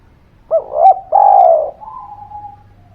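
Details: Spotted dove lure call for birds reluctant to sing: two quick rising notes lead into a long, loud, rough coo that fades into a thin steady tone, with a low hum.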